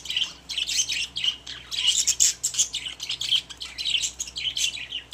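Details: A group of pet budgies in their cage keeps up busy, overlapping twitters and sharp squeaky chirps, the chatter rising and falling without a break.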